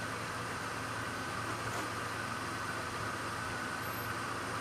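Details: A vehicle engine idles steadily throughout, a constant broadband rumble with no animal voices heard.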